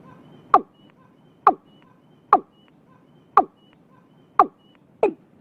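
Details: Watercock calling early in the year in Vietnam: six sharp, hollow notes falling in pitch, spaced about one second apart, with faint thin whistles from another bird behind.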